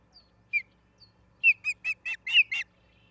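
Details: Ospreys at a nest in Charlo, Montana, on 10/03/2023 around 09:10, filmed by a live nature cam; a few isolated high whistled chirps, then a quick run of six sharp, clipped notes, with a low background rumble.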